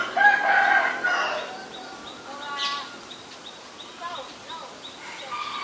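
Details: Black-collared starling, also called black-collared myna, in Ubon Ratchathani, Thailand, 17 April 2022; a loud burst of squealing, grating whistles, then softer chattering and short repeated notes.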